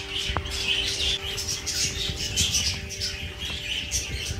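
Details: Budgerigars chatter in a busy flock while being fed, trading bright, scratchy warbles and quick chirps.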